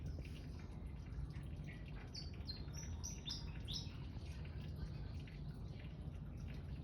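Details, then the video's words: Pied fantail singing in front of a house: a short run of thin, high whistled notes, some rising and some falling, over a steady low rumble of background noise. "Burung kipasan gacor di depan rumah"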